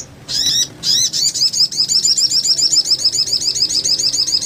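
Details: Sogon in full voice on a master training track used to get other sogons singing: two short high bursts, then a long, fast, rolling trill of repeated looping notes, steady and loud to the end.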